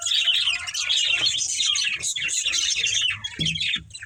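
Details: Breeding pair of budgerigars, pet lovebird-style pair, chirping and chattering continuously in dense, scratchy bursts with warbled squawks, little pause, a few low thumps near the end.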